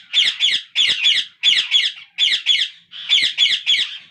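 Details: Captive ringneck parakeet chicks begging while the father feeds them; harsh squawks given in paired pulses, each pair repeated roughly every half second in a steady rhythm.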